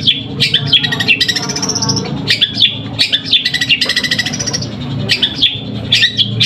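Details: Long-tailed shrike from Pamekasan in a sparring song mixing sparrow-like chirps. Sharp, clipped high chirps come in quick clusters, alternating with stretches of scratchy, buzzy chatter, all loud and close.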